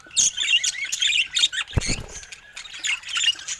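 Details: Brightly colored pet budgerigars giving squeaky, rasping chirps and warbles in quick clusters, with a short low knock partway through.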